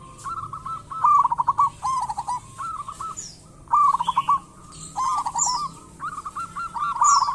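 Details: Energetic local zebra dove song, used as a lure to prompt other doves to sing: repeated bubbly, stuttering coo phrases roughly every second, with faint higher chirps from another bird between them.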